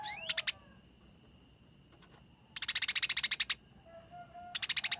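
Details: A Eurasian tree sparrow fights with clear, rolling chattering. Two short bursts of quick, harsh, evenly spaced chirps stand out, separated by a quiet stretch with faint background hiss.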